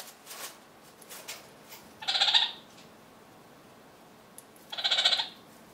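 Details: Two kakariki anting by rubbing pine cone resin and Roman chamomile through their plumage; two loud, harsh, chattering calls about three seconds apart, with faint rustling before them.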